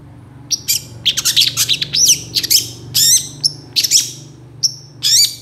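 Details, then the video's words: Long-tailed shrike pouring out a loud, varied tutor song filled with rapid burst phrases: high chattering notes, sweeping whistles and scratchy squawks in irregular quick succession, with a faint low hum behind. "CENDET GACOR ISIAN TEMBAKAN MEWAH"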